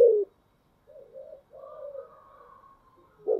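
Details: Soft spotted dove coos in the 'giọng thổ' style: quiet wavering low notes and a drawn-out coo in the middle, with louder coo fragments cut off at the start and the end.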